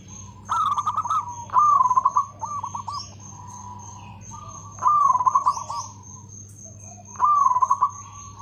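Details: Loud, well-rhythmed local zebra dove; rolling, trilled cooing phrases repeated every two to three seconds, with softer notes in between, faint chirps of other birds, a constant high tone and background hum.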